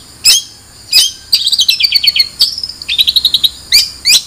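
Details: Long-tailed shrike: two sharp chirps, then a quick falling series of short notes, another chirp, a rapid high trill and two final chirps.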